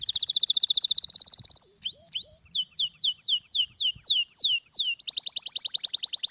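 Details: Sparrow song used to teach other sparrows to sing well and to encourage play and mating: a fast even trill of high notes, then a string of downward-sweeping whistled notes about four per second, ending in another rapid trill.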